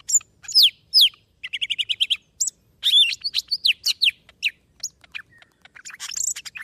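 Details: Vietnamese golden-fronted leafbird in varied song, used as a trapping lure: sharp high notes, a quick stuttering series of even repeated chirps, then a jumble of rising and falling whistles and squeaky twitters.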